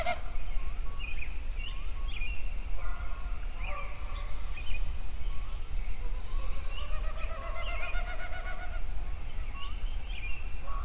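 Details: Dawn chorus of songbirds at Yellowstone: many short upslurred chirps and whistles overlap, with a quick rising trill midway, all above a continuous deep background rumble.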